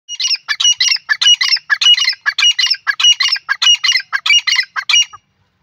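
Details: Grey francolin (Francolinus pondicerianus) calling in loud, harsh, scratchy phrases repeated rapidly, about two each second, on a quiet background.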